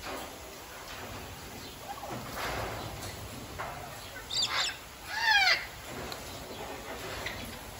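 An eclectus parrot gives two harsh, grating screeches close together near the end, with some softer rustling and flapping sounds earlier over steady background hiss.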